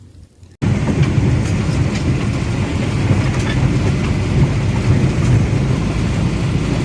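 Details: Dense, steady roaring noise like heavy rain or a passing train, heaviest in the low range, begins abruptly after a brief quieter moment and continues unbroken; no animal voices can be picked out.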